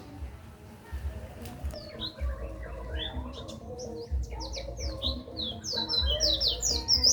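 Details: Pleci, a white-eye, singing as tutor material for songbirds: after a quiet start with low hum, sharp high twittering notes build up and grow denser and louder toward the end.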